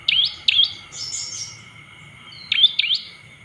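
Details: Provoking call of an olive-backed tailorbird, meant to rouse other birds into agitated singing: paired sharp upslurred chirps, repeated after a two-second pause, with a thin twittering burst between, over a low steady hum.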